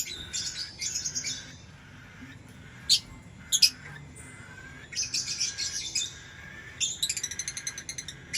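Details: Lovebird chirping: bursts of high, harsh chirps and short squawks in clusters, with a couple of sharp loud notes and quiet gaps between bursts.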